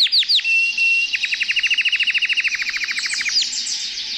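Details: Canary singing while held in the owner's hand: a few sharp downward whistles, then a fast, even trill of clipped notes, bright and high, ending in a brief flourish.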